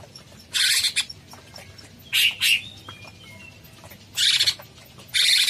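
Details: Cucak cungkok bulbul singing in bursts: four loud, harsh, buzzy phrases of about a third to half a second each, separated by pauses of one to two seconds, with faint thin whistles between them.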